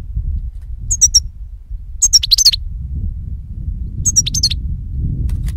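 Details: European goldfinch singing for bird capture: three bursts of tinkling, high chirps and quick slurred twitters about a second apart, with low background rumble throughout.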